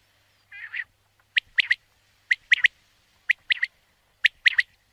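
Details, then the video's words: A soft nasal wavering note leads into four sharp, clipped three-note phrases from a common quail, spaced about a second apart, in a quiet background. "Canto Codorniz Común"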